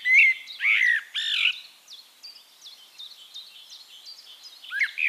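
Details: Singing Eurasian blackbird recorded in Castricum, the Netherlands: three mellow, fluty, warbled notes open, then the song pauses. Through the gap another bird gives a string of high, thin, upslurred chirps, before the blackbird's rich whistle returns at the end.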